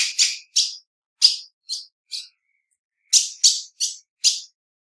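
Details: Female ultramarine grosbeak giving chirping calls: short, sharp, high notes in loose clusters, about ten over five seconds, with a pause in the middle; no other sounds.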